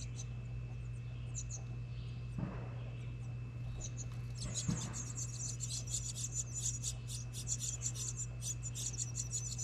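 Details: House wren nestlings in New England, nesting in a recycled license plate birdhouse beside a home, being fed by a parent; high, thin, rapid buzzy begging notes build into a dense, continuous chatter in the second half over a steady low electrical hum.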